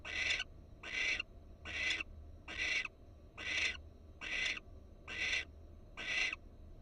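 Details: Barn owl at a Florida nest cam, wild birds with an alert female; eight rough, airy hisses in quick, even succession, each short and broadband, with steady low hum beneath.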